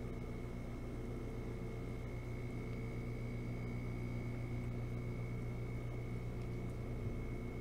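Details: Droning fan-like hum and a fixed high-pitched tone run throughout, with no animal heard.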